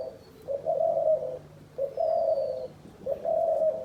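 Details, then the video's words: Dove kept by hunters as a decoy, calling a repeated two-part coo with a short lead-in note and a longer hollow note, three phrases spaced about 1.3 seconds apart over a low hum. "শিকারী ঘুঘুর ডাক"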